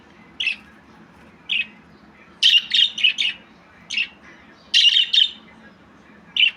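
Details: Budgerigar producing single scratchy chirps alternating with fast bursts of four or five squawky notes, repeated roughly every two seconds, over a faint low hum.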